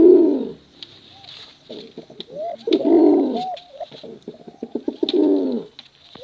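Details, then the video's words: Pigeons of competition stock, male and female, cooing for luring young birds. Three throaty rolling coos are each followed by short upward-hooked notes, with faint clicks between them. "Suara Bekuran Burung Merpati Lomba Hutan Dara"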